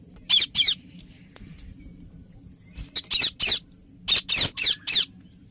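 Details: Ringneck parrot giving loud, harsh, high chirps in two bursts: a pair of screeches early, then a run of five or six rapid grating calls after a quiet pause.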